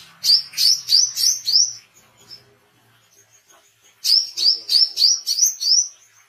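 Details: Oriental white-eye singing energetically, recorded as training audio for songbirds and for luring wild birds: two bursts of about five high, sharp, down-slurred chirps in quick succession, split by a two-second pause.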